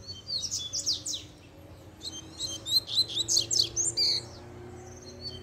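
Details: Double-collared seedeater roused by a female's arrival: fast, descending high notes at the start, a brief lull, then a loud cluster of rapid, varied chirps.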